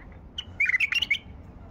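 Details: A white-eared bulbul sings in the wild at a hand-trapping site: one quick, rich warble of clustered chirpy notes about half a second long, clear above a soft low hum.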